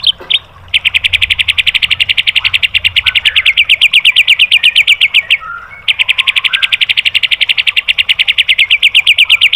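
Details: Training material for caged white-rumped shamas: an intense, buzzy rapid-fire trill of strong high notes delivered for several seconds, one short break, then resumed at the same fast pace.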